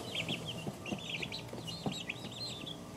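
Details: Peeping of two-week-old chicks: bright, high chirps, some rising and some falling, overlapping in a dense flock chorus, with scattered low knocks and shuffling sounds below.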